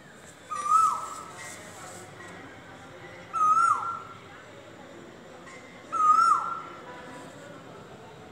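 An Asian koel gives three loud, fluty notes, each swelling then dropping, about every two and a half seconds. Faint high chirps from smaller birds sound in the background.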